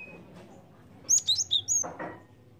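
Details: Java sparrow lure call: a single rapid run of five bright, high chirping notes lasting under a second, followed by a soft rustling burst and a thin steady tone in the background.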